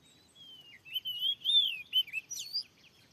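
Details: Wild oriental magpie-robin, described as very fierce, in a newly set-up field answering a lure: clear whistled phrases, sliding and warbling, with a quick run of varied notes rising toward the end.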